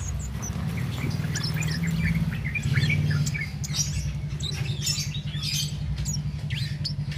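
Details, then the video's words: Cit keres singing nonstop without doping, meant as a master recording for training competition songbirds: rapid thin high chirps and short whistled notes scattered throughout, over a steady low rumbling hum. "Cit Keres Nembak Buat Masteran"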